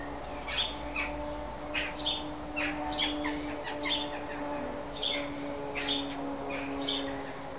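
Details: Great tit (koolmees) at a backyard nest box in Veghel, the Netherlands, flying in and out during feeding time; a series of short high chirps repeated roughly every half second over a steady low hum.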